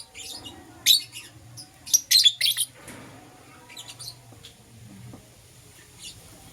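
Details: Lovebirds, a green Personata and a yellow pastel pied, chirping in the morning: scattered bursts of harsh, high, scratchy chirps in small clusters, with quieter gaps and faint low rumble between.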